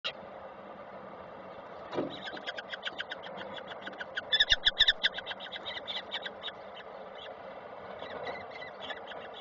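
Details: Falcon at a nest in Koszalin on 7 June 2023 as the male brings small prey, which the female takes and passes on: a rapid, irregular series of harsh, ringing notes, about two per second, swelling louder midway, over steady background hum.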